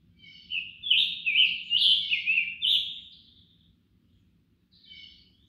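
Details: Scarlet tanager (Piranga olivacea), an interior-forest species of large mixed or deciduous woods, singing a fast string of hoarse, burry phrases like a robin with a sore throat, then a brief pause and another faint phrase; low hum beneath.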